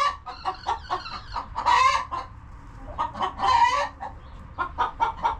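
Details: Homestead chickens relaxing in the coop trade quick clucks, with two prominent harsh squawks in the middle and softer clucking trailing off.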